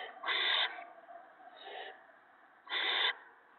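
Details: Owlets at a nest being fed gophers by an adult owl on the evening of March 28, 2017; three harsh, broad hissing screeches, two loud and one softer, each under half a second, with steady low background noise.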